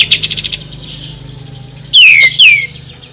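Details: Ashy tailorbird, a true recording used to tutor songbirds: a rapid, high ticking trill fades out, then after a pause two loud whistles drop sharply in pitch.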